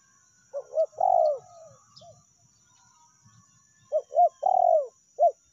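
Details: Spotted dove lure recording of the meratus and melambung call styles: two cooing phrases, each two short rising-falling notes then a longer drawn, downward-slurred coo, separated by about three seconds of quiet with faint low rumble.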